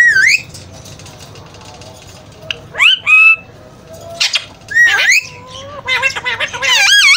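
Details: Alexandrine parakeet kept as a pet talking parrot; a run of harsh squawks and rising, sliding whistled notes, several overlapping toward the end, over quiet room noise.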